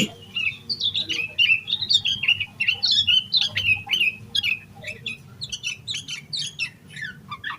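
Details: Yellow-vented bulbul in excited full song, used to coax other bulbuls to sing. Lively run of bubbly, slurred whistles that grows quicker and choppier toward the end.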